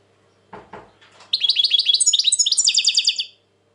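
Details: A European goldfinch, very tense these days, in 2020: a couple of soft low clicks, then a fast rolling trill of high twittering notes lasting about two seconds before stopping abruptly.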